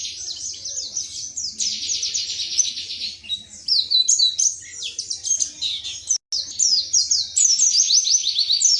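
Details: Quick high twitters from an Indonesian white-eye (pleci) in 'tembakan materi' style, alternating dense buzzy trills with repeated downslurred whistles, roughly four notes a second, with one short gap.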